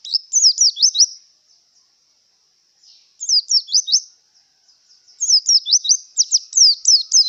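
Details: Song of a Javan white-eye in breeding condition: three bursts of high, fast, zigzagging twitter notes, each lasting about a second, the last burst longest and densest.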